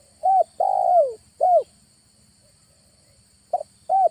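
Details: August recording of a spotted dove used as a lure while trapping near a village: a hooked coo, a long descending coo and another coo, a pause, then two notes opening the next phrase.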